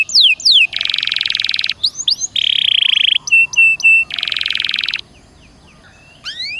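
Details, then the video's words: Caged canary (Serinus canaria) singing a loud, gacor-style song meant to prompt other canaries to sing: rapid descending whistled sweeps, then dense buzzy trills, sharp paired notes, and another long buzzy roll ending in rising chirps. "Suara Burung Kenari Gacor Dor Nembak Untuk Pancingan"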